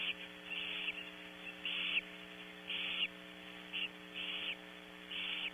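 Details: At Audubon Starr Ranch, California, a female barn owl with owlets in a nearby nest cavity gives harsh, breathy hissing screeches, about six rasping bursts at an uneven pace, over a steady low electrical hum; a male kestrel's snuffly sounds may also be heard.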